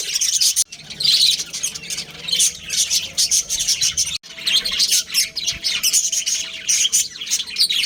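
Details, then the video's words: Caged budgerigar breeding pair chattering: dense, bright, scratchy warbling chirps in long runs, broken by two brief silent gaps, over a soft background hum. "Cute Budgies Chirping Sounds"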